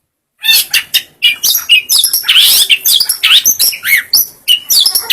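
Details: Long-tailed shrike song used for training other birds: a dense, rapid jumble of high chirps, harsh squawky notes and quick rising and falling whistles, almost continuous after a short silence at the start.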